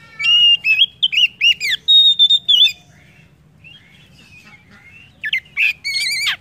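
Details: Oriental magpie-robin singing as a lure to spur other birds into song. About two seconds of rich, fluty, looping whistles, then a lull with faint soft warbling, then a sudden loud burst of harsh, layered notes.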